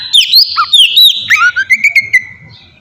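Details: Oriental magpie-robin song used as a lure for a reply from other birds: looping whistled notes, then a run of quick chirps fading at the end.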